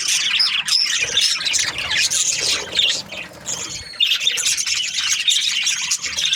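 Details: Chirping budgerigars, Australian parrots kept as breeding pairs: busy high twittering and squawks with thin whistled notes, a softer stretch around three seconds before the chorus returns.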